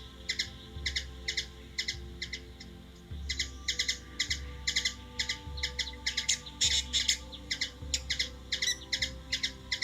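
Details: Hummingbird calling in Washington DC, USA, a sustained series of sharp ticking chips, irregularly grouped and growing denser toward the end, against a droning low hum.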